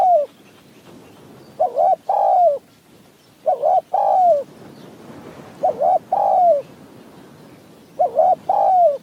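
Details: Decoy and wild Spotted Doves calling against each other in mountain forest during decoy trapping: four low, hollow cooing phrases about every two seconds, each of short notes followed by a longer falling coo, over steady background hiss.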